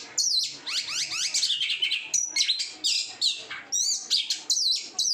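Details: Kept oriental magpie-robin in full song, raised without bathing and with sun exposure: loud, varied phrases of high whistles, sweeping slurred notes and sharp chips, delivered almost without pause.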